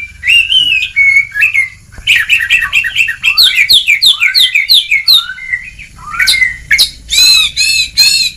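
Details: Ngeplong song from an Oriental magpie-robin, used to coax a lazy bird into singing: quick runs of repeated chattering notes and bright whistles, ending with three loud rasping calls.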